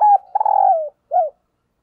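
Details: Kept decoy spotted dove giving a "thúc gù" urging coo, used to excite and lure wild doves: a clear, hollow mid-pitched coo that slides gently downward, then a short, softer rounded note after a brief pause.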